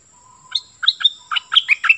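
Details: Decoy Cream-vented bulbul kept for luring wild birds, excited, delivers a short phrase of seven or eight bright, slurred notes. A faint steady low tone and a high whine run in the background.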